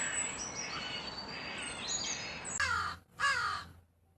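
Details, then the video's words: Background of thin, high whistled calls of other birds and steady noise, then two harsh, grating crow caws close together near the end. "Crow sound videos - crow bird crowing sound - Crow sound effects"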